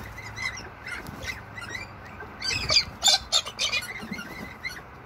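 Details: Wild galah, or pink cockatoo, visiting in Toowoomba, Australia, during rain: a cluster of harsh, grating screeches bunched in the middle, with faint scratchy notes before and after over a steady hiss of rainfall.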